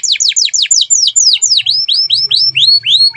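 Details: Singing Atlantic canary, used as a training song for other birds: a clear tour of steeply falling whistled notes, repeated about four times a second, slowing into longer curved up-and-down slurs.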